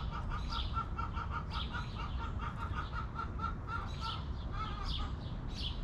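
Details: Hens kept in a backyard coop cluck in a quick, evenly spaced string of short notes that briefly shift higher near the end, while wild songbirds chirp overhead against a soft, steady rumble.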